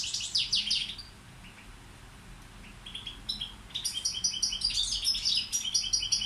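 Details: Song of a balcanica European goldfinch serving as a tutor bird: a brief burst of tinkling chirps, a soft lull with faint notes, then a lively stream of rapid high twittering to the end.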